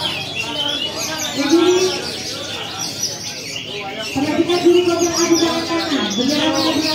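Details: A captive Oriental magpie-robin performing at a bird-song contest in Magelang after its moult sings a fast, varied stream of sharp whistles and chirps, with a low droning voice or coo beneath and other birds faintly behind.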